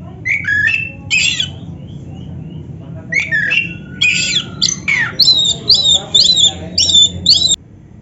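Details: Caged black-breasted oriental magpie-robin singing as a master tutor for other birds; scratchy squawks and sliding whistles in bursts, ending in a run of bright high whistled notes repeated about twice a second.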